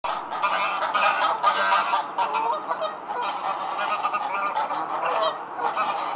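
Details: Greylag geese, wild, swimming on a lake at Ferrymoor Flash Nature Reserve near Grimethorpe, South Yorkshire, England: a flock giving dense, overlapping harsh honks and cackles continuously, many birds calling at once.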